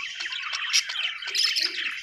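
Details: Short burst of budgie chirping, a squeaky warbled phrase with two brighter peaks close together.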